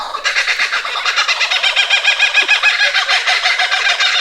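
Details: Many kookaburras laugh together at night from a tree in a loud, dense chorus of rapid, rolling chuckles and hoots, overlapping without pause.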